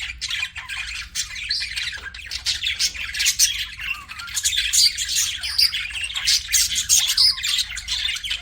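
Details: Several pet budgies keep up a continuous warbling chatter, a busy tangle of chirps, clicks and harsh squeaks rising and falling in loudness throughout.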